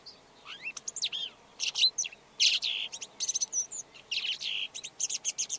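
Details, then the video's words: Red-backed shrike song: a lively, scratchy jumble of short high notes, whistled upslurs, buzzy bursts and quick chattering clicks in rapid, varied bursts, with brief gaps, against a quiet background. "Red backed Shrike · Lanius collurio - song"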